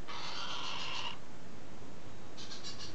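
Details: Galah recorded on 21 July 2015: one grating, buzzy screech lasting about a second, followed after a pause by the start of another rough call, over low background hum.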